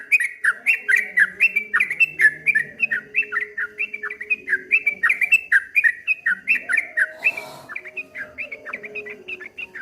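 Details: Streak-eared bulbul in continuous ropel song of the ngombak banyu style, with rapid rolling whistled phrases that rise and fall in waves. A brief burst of noise breaks in near the end.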